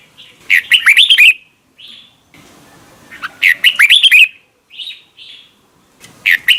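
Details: Red-whiskered bulbul morning song in the double-note wild-veteran style, "âm kép già rừng": warbling phrases of rising and falling whistles alternating with single soft chirps, over faint background noise.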